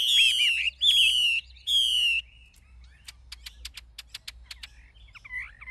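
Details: Caged Chinese hwamei caught wild as an adult, singing in forest-voice style: three long, loud, downward-sliding pure whistles, then a series of sharp, dry clicking ticks and a final soft looping whistle.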